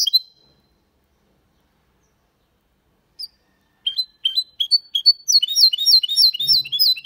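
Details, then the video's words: A male goldfinch × canary hybrid (mule) sings Malaga-style song cleanly without errors: a brief opening note and pause, then a fast run of bright, high chirping notes building into a rapid, rolling twitter. "Mixto de Jilguero Cantando Limpio (Video HD)Mulet de Chardonneret X canari /hybrid goldfinch singing"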